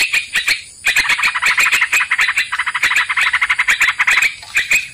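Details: Sooty-headed bulbul recorded as a lure for trapping birds: a dense run of rapid, harsh chattering notes, mid-high and slightly buzzy, with sharp clicks laid over them and a short break after the first second.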